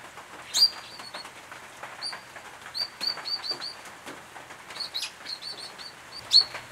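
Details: Brown treecreepers of the eastern subspecies at a nest box in late August 2018, restored former farmland in the Capertee Valley, New South Wales; sharp, high, short notes given singly and in quick runs, with faint background rustle.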